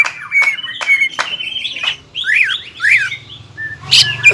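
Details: Excited greater green leafbird giving ngobra and jamtrok song: long sustained whistle, then swooping buzzy notes falling and rising, closing with sharp squeaks.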